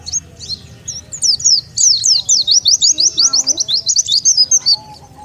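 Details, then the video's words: Oriental white-eye lure call, played to draw wild birds together: a rapid run of high, thin, slurred chirps, about four per second, rising and falling, with faint lower tones underneath. "SUARA PIKAT BURUNG PLECI"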